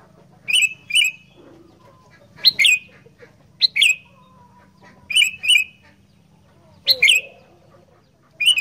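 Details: Sooty-headed bulbul singing in the chatty, combative style locally called kutilang gacor fighter: short bubbly phrases, each a quick cluster of sliding notes, given in pairs about every second or two, with a low steady hum beneath.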